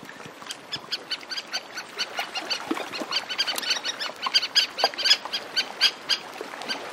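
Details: Several Antarctic terns calling in flight over a shore with sea lapping in the foreground: harsh, grating chattering notes repeated rapidly, about four a second, overlapping one another with soft wave wash beneath.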